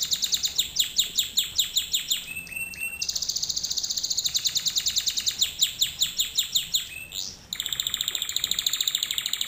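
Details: Canary song used as a training lesson for canaries, a fast series of high repeated tours: rapid descending notes, buzzy rolls and sustained trills, changing phrase every second or two, over steady faint background hiss.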